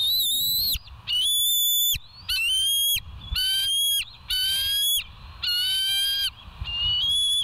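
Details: Bald eagles at the West End nest, recorded by a live nature camera on 08/04/2023 at 05:22 in the morning; loud, high, whistled piping calls with rich overtones, steady then dipping at the end, given in long bouts about once per second.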